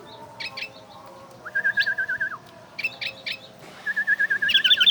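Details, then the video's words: Oriental white-eye singing like a bulbul: a lower, evenly wavering warble of about seven notes repeated twice, mixed with short high chirps and a final fast high trill. "Burung pleci berbunyi kutilang"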